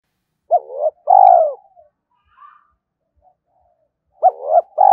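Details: Spotted dove used as a lure for wild males, cooing a short upturned note then a long, low, purring note, with a faint chirp in the pause before the phrase restarts.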